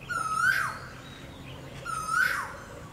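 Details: Asian koel giving its mating call: two loud, rising whistled notes, each climbing steeply and ending sharply, about 1.7 seconds apart, over a low steady hum.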